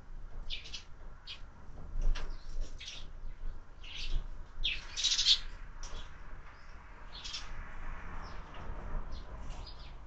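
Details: Sparrows at a window feeder where birds are fed year-round, breakfast scene; intermittent sharp chirps and brief tweets with quieter gaps, a louder burst midway, low background hum.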